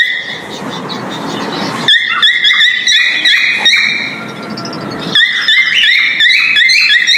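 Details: Breeding male cockatiel whistling a mating call. Rough hissing noise opens the recording, then bright, harmonic whistled notes follow in a lively chain of small rising and falling steps.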